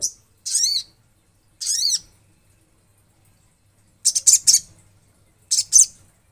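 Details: Clean recording of an olive-backed sunbird: two high, thin slurred whistled phrases, a silence, then two short bursts of rapid sharp chips, nothing else audible.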